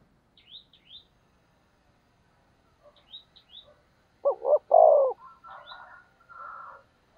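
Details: A decoy spotted dove gives one loud provoking coo, two short notes and a long drawn note, amid thin high chirps from small birds and soft chattering calls before and after.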